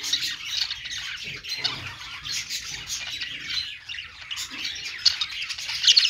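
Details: Pet budgerigars singing on a perch: dense overlapping warbling, chirping and harsh squawks from several birds, fairly even in loudness, with a few sharper notes toward the end.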